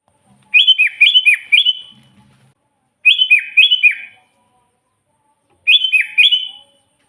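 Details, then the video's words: Sooty-headed bulbul singing energetically, used as a lure for trapping wild bulbuls; three bursts of bubbly, liquid two-to-three-note whistled phrases, each about a second long, separated by quiet gaps. "suara burung kutilang gacor full buat pancingan kutilang pikat"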